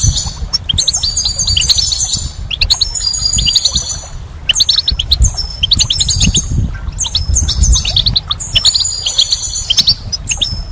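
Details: Goldfinches in spring give bursts of dense, jingling twitter and high buzzy trills, each burst lasting one to two seconds and returning about every two seconds, over constant low background rumble.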